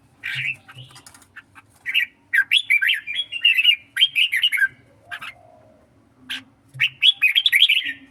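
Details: Songkon-type red-whiskered bulbul in a singing contest, delivering lively chattering warbles in fast descending and rising phrases, a quiet pause near the middle, then another energetic burst of song.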